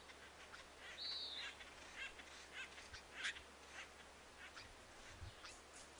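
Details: Mexican jay at a hummingbird nest, filmed stealing its eggs before a second jay arrives to check the nest, gives harsh, raspy calls in short, irregular bursts, with one clearer ringing note near the start over a quiet background hiss.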